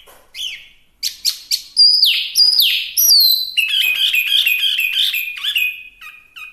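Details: Chinese hwamei singing in a lively, varied stream: sharp high notes at first, then downslurred whistles and a fast run of repeated rich phrases about two per second, loud and clear with no other sounds.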